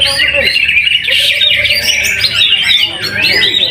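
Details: Greater green leafbird, a caged competitor in a weekly training contest at Trowulan, Mojokerto, where it took first place, singing a dense stream of loud warbled, chattering notes with rapid pitch sweeps; other birds and men's voices sound in the background.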